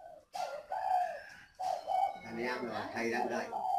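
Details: Spotted dove, an old, experienced captive decoy bird, moved next to a young bird to test whether it will respond; two mellow, low coos in quick succession, then a man talking over further soft cooing in a small room.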